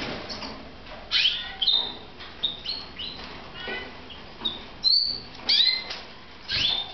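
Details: Red mosaic canaries kept as pets in Moudania, giving scattered short, bright chirps and sweeping whistled notes, some rising and some falling, in bursts separated by brief pauses over a low background hiss.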